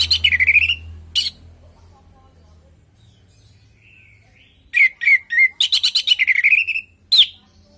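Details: Orange-headed thrush in song, played as a lure so pet birds at home answer and sing: a bright burst of slurred whistles and buzzy notes, a long pause, then a rapid run of sharp repeated phrases ending in one loud note.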